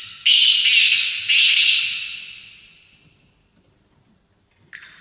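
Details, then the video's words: Black francolin in a trial match in London, UK, gives two loud rasping, buzzy bursts that fade away into quiet, then a short harsh note close to the end. "Kala Teetar Ki Chakri In UK"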